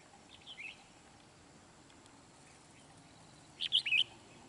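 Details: Red-whiskered bulbul singing at Núi Đá, Kim Bôi, Hòa Bình, Vietnam, where a wild bird is being trapped while challenging a decoy; a soft brief chirp early, then a loud quick burst of sharp, chattering whistled notes.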